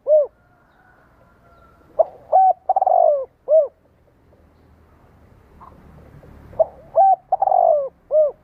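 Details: Spotted dove calling to excite captive doves into replying: two matched coo phrases, each brief notes, a long slurred coo and a falling final note, separated by a quiet gap with faint murmur.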